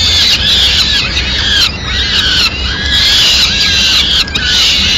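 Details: Madrid, 29 April 2016, peregrine falcon mother arriving with food for her chicks: waves of high squealing with curved, descending notes, dipping briefly near the middle and end, over low rumble.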